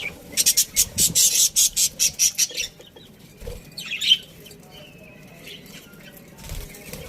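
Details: Budgerigars in a breeding colony: a rapid burst of loud, harsh, high chirps, about a dozen in quick succession over two and a half seconds, then scattered softer squeaky notes and a sharp chirp near the end.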